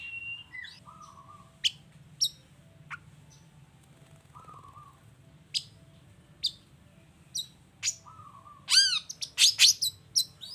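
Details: Long-tailed shrike song played as a lure so other shrikes answer: varied phrases of sharp clicks, short buzzy whistles and downslurred notes, ending in a dense run of loud, rapid, squeaky notes; low background hum throughout.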